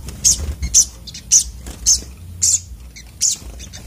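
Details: Sunbird, known locally as sogok otong, calling agitatedly: sharp, very high chirps repeated about twice a second with brief gaps, over low background hum.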